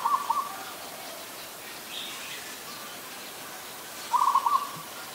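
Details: Staccato trilled cooing of an adult zebra dove, Ubon Ratchathani, Thailand, 24 December 2020; two short bursts of rapid notes roughly four seconds apart, with soft distant bird calls between them.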